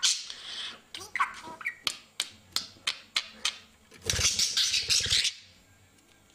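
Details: A pet budgerigar chatters in quick, scratchy bursts, talking in German and mimicking a human-like cough and sneeze.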